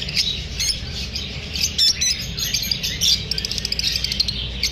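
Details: Several pet lovebirds chirp in a busy, high-pitched chatter of short tweets and clicks after feeling unsafe from the filming, with a few louder squeaky bursts standing out.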